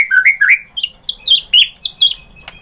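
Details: Lure song of a white-rumped shama, used to make another shama answer: rich whistled notes, first low and slurred, then higher clear phrases in quick succession, ending with a sharp click.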